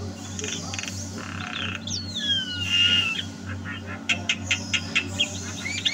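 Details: Javan myna in full song in 2022, giving long falling and rising whistled slurs, then a quick series of sharp clicks about every third of a second, over a constant low hum.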